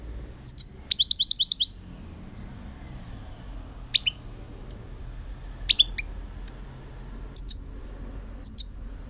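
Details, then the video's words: European goldfinch song from 2018: a fast burst of about six high, twittering chirps near the start, followed by scattered single and paired sharp notes every second or two against a quiet hiss. "chant chardonneret 2018"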